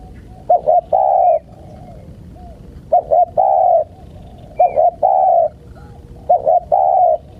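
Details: Steady cooing from a spotted dove meant to lure wild birds: short paired notes leading into a sustained hollow coo, four phrases in quick succession, with a faint high chirp in between.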